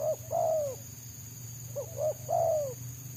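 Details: Wild Spotted Dove (tekukur) prized by bird trappers, its song mostly in the 'selang nguku' style, dense and fast: two phrases of quick short notes ending in a long, falling coo, over a low steady hum and a thin high whine.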